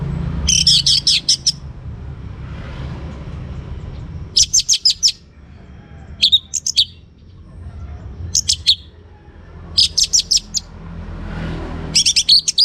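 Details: A young orange-headed thrush, singing steadily, is played to lure other birds into bold singing. Short, high, buzzy bursts of clustered notes repeat every one to two seconds over a low hum.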